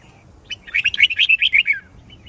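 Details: A red-whiskered bulbul, played to train birds and provoke competitive singing, gives a fast, bright run of about eight or nine clear whistled notes in just over a second; background otherwise quiet.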